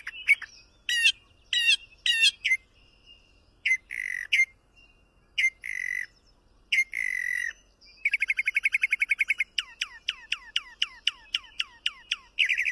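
A pine grosbeak sings clear warbled phrases, a quick rattling trill, and a run of falling whistles.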